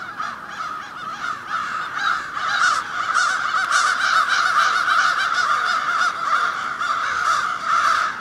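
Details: Crows of a large seasonal roost in tall city trees in Ontario, Canada, cawing at once in a dense continuous chorus of harsh overlapping calls with no gaps between birds.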